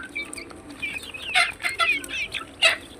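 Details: Caged desi chickens on a rooftop, agitated and eager to get out and be fed, give sharp high-pitched clucks and squawks in uneven bursts, loudest near the middle and the end, over a faint steady hum.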